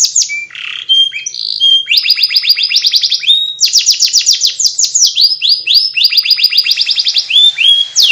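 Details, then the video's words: Canary singing a long ngriwik warble: buzzy rasps and whistles at first, then repeated bursts of rapid rising and falling trills broken by short pauses. "kenari ngriwik"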